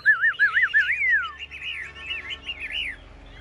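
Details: Caged Chinese hwamei singing in a contest: pure, fluid whistles that rise and fall in smooth loops, one long upward-then-sliding note, then more rolling wavy phrases fading out.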